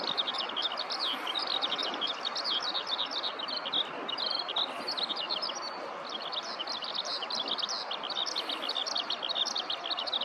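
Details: Eurasian skylark on the ground in a paddy field delivering extended song: dense, high, fast chattering and trilling notes running on without a break for ten seconds, close-up handheld recording with a quiet rural backdrop.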